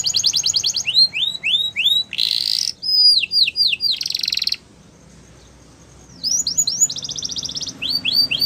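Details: Canary song with a rapid trill, rising swept whistles, and harsh buzzy bursts; a silent pause of about one and a half seconds, then trilled and swept phrases resume.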